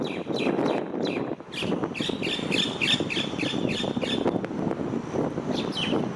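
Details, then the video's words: Starling on an electric wire giving a fast string of harsh, squawky chirps, many in a row, then a brief pause and a few more, over steady low traffic noise. "Starling makes sweet sounds"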